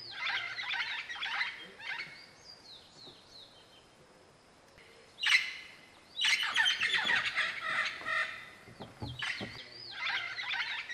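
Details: Olive-throated parakeets in Belize give harsh, grating screeches in quick, chattering bursts, several birds calling together, with thin descending whistles from other birds between.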